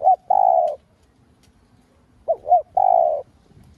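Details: Spotted dove kept as a lure bird, cooing to rouse other doves: the tail of one phrase, a pause, then two short soft rising notes and a long even coo.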